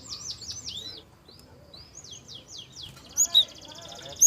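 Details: Lure song of a Java sparrow, soft in tone, meant to get young birds singing: a run of quick high downslurred notes, a pause, another slurred series, then a few sharp ringing chirps.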